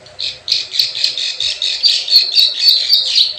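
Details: Lure recording of plain prinia, called prenjak sawah: fast chain of harsh, buzzy chips about four per second, rising and falling in loudness, with small sharp clicks overhead.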